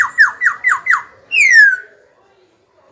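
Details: Captive young Black-throated laughingthrush singing to goad rival birds and coach youngsters: five quick downslurred notes in a row, then one long clear whistle sliding downward, followed by silence.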